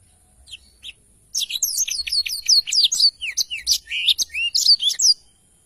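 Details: Black-throated canary, used as a tutor recording for training songbirds: a few faint high notes, then a fast, energetic phrase of repeated high chirps and warbled whistles lasting about four seconds.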